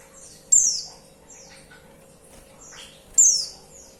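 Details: Female white-eye calling a male: two sharp, high chirps sliding steeply downward, about two and a half seconds apart, with faint thin notes between them over a steady low hum.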